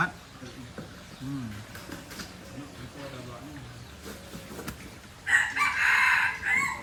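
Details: Junglefowl from Aceh, an F1 bird, with a harsh crow of about one and a half seconds near the end, following several seconds of low human speech and light background noise.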